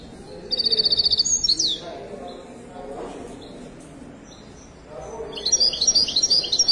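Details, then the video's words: Moroccan Widani goldfinch starting with a rapid, even, high trill, then a pause with a voice in the background, and ending with a second burst of bright, jumbled twittering. "تغريدة طائر حسون ويداني مغربي"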